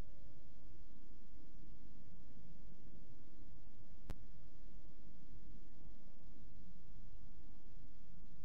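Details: Steady low rumbling hiss with no animal voice, broken only by a single sharp click near the middle.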